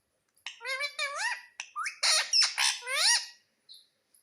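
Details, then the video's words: Pet Indian ringneck parrot talking, saying "mummy": a quick chain of rising harmonic syllables mixed with harsher, noisy squawk-like notes, ending in a short pause and a faint final note. "MUMMY BOLNE WALA TOTA - BOLNE WALA TOTA - TALKING PARROT"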